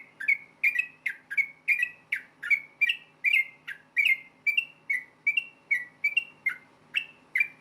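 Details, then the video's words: Combative rapid song of a yellow-vented bulbul, used to make other bulbuls answer; dense series of slurred whistled notes with harsh clicky edges, about two to three per second, pitch shifting slightly note to note. "KICAU SUARA trucukan gacor ROPEL TARUNG NEMBAK ampuh BIKIN agar burung trucuk gacor NYAUT SEKETIKA"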